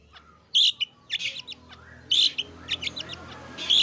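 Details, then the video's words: Long-tailed shrike (cendet/pentet) in 'roll tembak' song: harsh grating bursts and quick rolls of scratchy notes recurring every second or so over a soft background murmur. "burung pentet/cendet gacor ROLL tembak"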